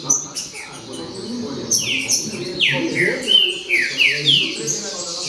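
Green-winged Saltators sing loud, clear, downslurred whistled phrases, several in quick succession, over a busy background of other chatter and faint voices.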